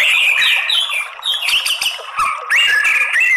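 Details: White-rumped shama song used as a lure to provoke males into fighting song: loud, rich whistled phrases sliding and warbling around a steady middle pitch, with a brief dip before the strong phrases resume.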